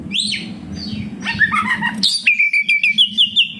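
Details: Oriental magpie-robin (kacer) song as a lure for caged birds: warbled notes over low background rumble, then a rapid series of about eight even whistled notes.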